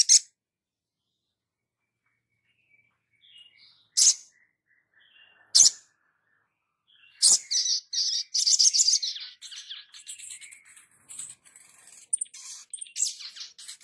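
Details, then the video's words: Sogon in full 'gacor' song, a tutor recording for training other birds: a few isolated sharp, high notes with soft, faint twitters between them, then a dense, loud stretch of rapid, jumbled chattering and trills. "Sogon gacor"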